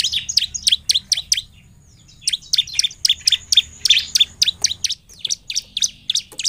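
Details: Bar-winged prinia singing hard, a lure for quiet birds: a short run of sharp high chirps, a brief lull, then a longer dense sequence of rapid, evenly repeated piercing notes that carries to the end.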